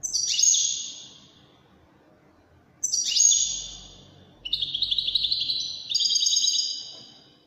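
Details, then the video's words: Wydani goldfinch delivering separated song phrases: two short descending bursts of high twitters with pauses between, then a longer run of rapid, evenly repeated tinkling trills. "تغريد طائر الحسون الويداني chant de chardonnere"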